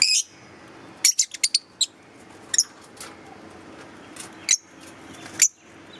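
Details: Green Fischer's lovebirds chirping: bursts of piercing high chirps, a quick cluster of four or five notes near the start, then scattered single chirps over a faint hum.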